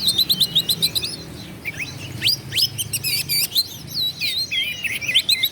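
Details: Energetic Oriental magpie-robin song used to provoke rivals: rapid high whistled notes, quick upward and downward sweeps and buzzy trills follow in close succession with short pauses, over a faint low rumble.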